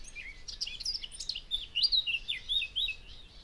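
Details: Eurasian blackcap singing in the Wangental bird area: a rapid, varied warble of high, clear, fluty notes and slurred whistles, loud and closely packed phrases with quieter twittering at the start, little background noise.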